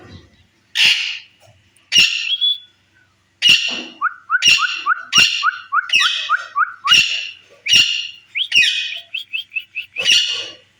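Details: Pet talking Rose-ringed (Indian ringneck) parakeet said to be ready for its first breeding, giving loud harsh screeches about once a second, broken by a run of quick, even chattering notes and a few short whistles.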